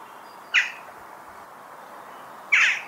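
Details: Western jackdaw giving two short, harsh, scratchy calls spaced about two seconds apart, each a brief explosive burst, heard against a steady low background hiss.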